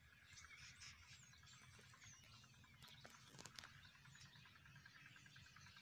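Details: Migrating flock of Common starlings, described as Russian starlings, in Pakistan; dense, busy high chirps and thin twittering notes overlap continuously above a steady low rumble of background noise.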